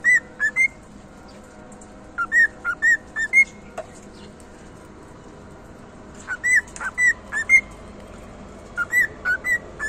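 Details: Cockatiel repeating a short tune of five or six pure whistled notes, four times at intervals of two to three seconds, with light background hiss.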